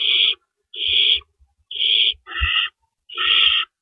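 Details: Owls at a nest at about 4:30 AM on April 4, 2012, among rabbit deliveries: five quick, harsh hissing rasps in under four seconds, with a soft thud midway.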